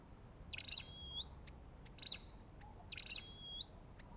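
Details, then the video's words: Olive-backed tailorbird uttering three bright phrases, each a sharp chirpy burst sliding into a short rising whistle, spaced roughly one second apart, in a quiet outdoor setting. "Sập đôi đầu đỏ và vành khoen | Orthotomus sepium"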